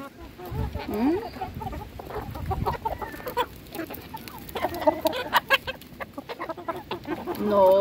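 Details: Hens being fed, with scattered clucks, a rising squawk early on, and a high drawn note at the close, over scratching and pecking noises.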